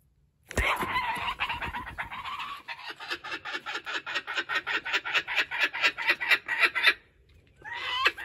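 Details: Laughing kookaburra at a wildlife sanctuary, possessive over a stolen toy and perched out of reach, gives a long maniacal laugh: harsh opening chuckles speeding into a steady train of rapid staccato ha-ha notes, then a brief final cackle.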